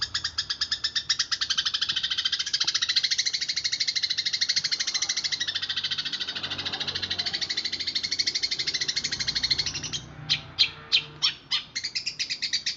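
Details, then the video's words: Fighting house sparrows, a recording meant for training songbirds: a long, fast, rattling chatter of high buzzy notes running for about ten seconds, then separate harsh chirps spaced about half a second apart. "SUARA MASTERAN BURUNG GEREJA TARUNG"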